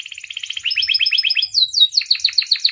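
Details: Canary singing actively, a recording meant as a master and lure to get other canaries singing; a fast trill of repeated high notes shifts into a brighter, rapid series of falling chirps.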